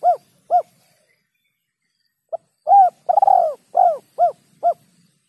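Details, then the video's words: Spotted dove lure call for trapping birds: two short hollow coos, a long silence, then a quick run of about seven coos, including a drawn-out rough middle note, all clean with no background sound. "SUARA PIKAT BURUNG TEKUKUR SUARA JERNIH"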